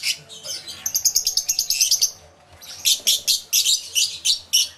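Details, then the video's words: Crowd of lovebirds in an aviary, yellow-collared among them, recorded with two external microphones: dense high chattering chirps in quick bursts, a short lull, then loud clipped chirps repeated roughly every half second. "1 Hour Lovebird Sounds Aviary Series V1"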